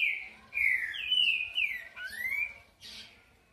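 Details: Green-winged saltator singing the song style called 'boi': a run of loud, rich whistled phrases, each sliding down then the last one swooping upward, ending with a brief higher note after a pause.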